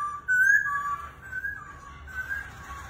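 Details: Laughingthrush, said to dance like a circus act, sings a few pure, fairly soft whistled notes that alternate between higher and lower pitches.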